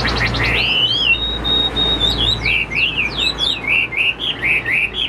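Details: Pet Chinese hwamei, said to be roughly 85% tame and not fully conditioned, holds one long steady whistle, then breaks into quick repeated swooping notes, about four per second, with a low hum underneath.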